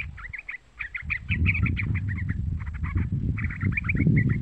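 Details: A young yellow-vented bulbul (Pycnonotus goiavier) gives quick, bubbling, chattering bursts of mid-pitched notes over a heavy low rumble of handling or wind noise. It is used as a lure call to provoke other bulbuls.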